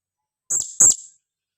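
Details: Female blue-crowned hanging parrot calling, used as a lure to attract other birds: two short, shrill, very high squeaky notes about a quarter second apart, each with a brief buzzy tail, in otherwise quiet surroundings.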